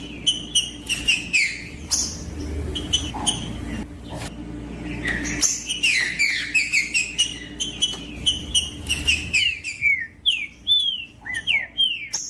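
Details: Green-winged saltator singing in the bush, a warming-up song for tournament birds: dense series of whistled phrases with bright falling slurs and clicking notes, louder toward the end, over a low hum.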